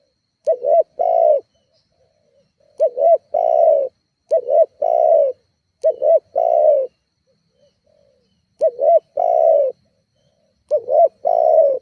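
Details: Spotted dove calling to provoke rivals, played as a lure for other doves. Repeated phrases each have two quick looping notes followed by a longer, softly falling coo, coming about every one and a half seconds with a short break midway.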